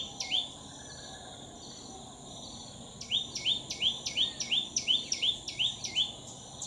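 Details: A common tailorbird calling at Betki-Khandola, Goa, in September 2018, gives a fast run of loud, sharp, upslurred notes, about three per second, after one opening note, over a steady high insect hum.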